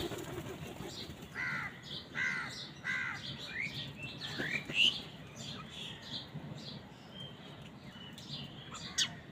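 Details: Crows squabbling with wild birds over food: four harsh, harmonic calls repeated about every 0.7 seconds, then scattered higher chirps, squeaks and wing flutters over a steady low background rumble.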